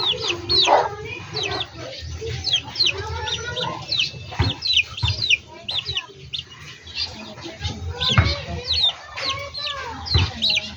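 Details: Chickens in a backyard flock giving dense, high, sharply down-slurred chirps in quick succession, along with scattered clucks and a low hum.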